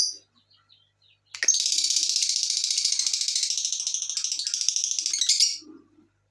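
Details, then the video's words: Lovebird lure chatter for getting other lovebirds to sing: one continuous buzzy, rattling stream of high notes lasting about four seconds, preceded by a faint chirp and ending in near silence. "pancingan burung Lovebird"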